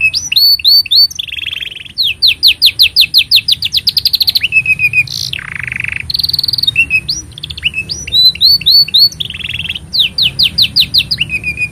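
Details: Extended canary song for tutoring young canaries and coaxing silent birds: long series of rapid upswept chirps, buzzy rolled tours and whistled slides repeating across the phrase, strong and continuous over a low hum.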